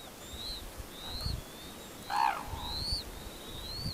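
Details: Red-crowned cranes gathered at the Tsurui Ito Tancho Sanctuary near Kushiro, Japan: one loud, brief, rich honking call, with thin rising whistles from smaller birds repeating around it and low rumbling background noise.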